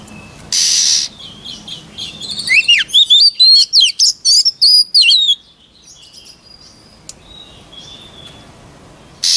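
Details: White-rumped shama song: a fast series of bright, sweeping whistled notes rising and falling, about four per second, in a burst of roughly three seconds, followed by quiet and faint distant notes.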